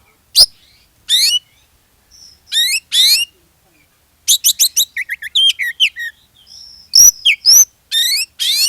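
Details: Kacer, the Oriental magpie-robin, singing a lure song to provoke other magpie-robins: sharp click, rasping buzzy bursts, quick runs of chattering notes and clear drawn-out whistles, delivered in uneven bursts.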